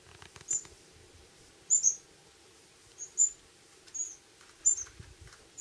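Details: Fledgling Pyrrhuloxias beg while the male parent feeds them food taken from a hand in Terlingua, Texas, summer; quieter thin high chips, single or paired, every second or so over low background rustle.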